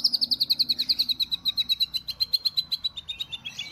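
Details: White-rumped shama of Medan type, national competition champion at the Presiden Cup 2018, fires off a rapid, evenly spaced series of sharp high notes, about six per second, slowly dropping in pitch, in cililin-shot style.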